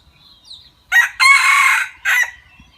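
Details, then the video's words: Decoy junglefowl, a prized fowl kept for its fine voice, gives a clear three-part crow: a short opening note, a long strained middle phrase, then a brief clipped ending, with near silence around it. "มาชมไก่ต่อสวย เสียงดี กันค่ะ"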